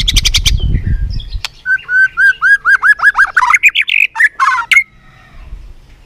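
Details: Competitive singing by a White-rumped shama: harsh rasping notes, then a rhythmic string of about a dozen slurred whistled notes that climb in pitch, ending with buzzy bursts.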